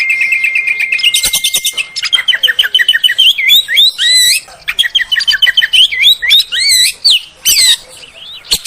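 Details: Oriental magpie-robin song used as a lure to get other magpie-robins to sing and to boost their confidence: a fast run of short repeated chips, then varied, looping, whistled phrases that rise and fall.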